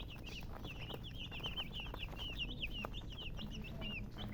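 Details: Baby chickens chirping, clear high peeps that bend downward, several per second from a few overlapping chicks, with low rumbling noise beneath.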